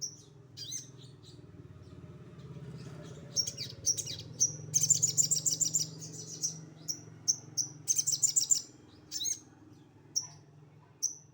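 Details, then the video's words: Sogon song in the rough 'tembakan kasar' style from a bulak bird: scattered sharp high chirps building into fast stuttering trills, then single clipped notes again, with a steady low hum beneath. "Sogon bulak tembakan kasar"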